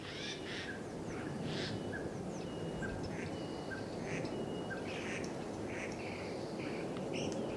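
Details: A common starling mimics construction-site sounds, from whistles to a saw, in a varied run of whistles, clicks and rasping bursts over a steady low rumble of traffic or machinery.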